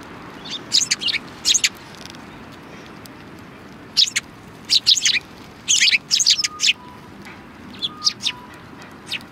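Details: A flock of sparrows comes out to greet someone at the back gate of a Tenmangu shrine, 25 February 2020: short, sharp, high chirps in irregular clusters, with quiet pauses between bursts.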